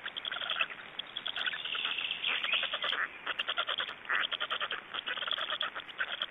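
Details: Black storks at a nest in Estonia at feeding time, 26 May 2012: dense rasping pulse trains with a brief smoother wheezy stretch midway, then quick rhythmic rattles toward the end.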